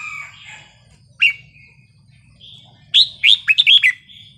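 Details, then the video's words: Wild-style red-whiskered bulbul song for exciting other birds: an isolated sharp whistled note, a pause, then a rapid string of five or six bright, bouncing whistles, with a soft low hum behind. "นกกรงหัวจุกเพลงป่า สำนวนเพราะ ๆ เปิดยั้วนกฟังนกคึก"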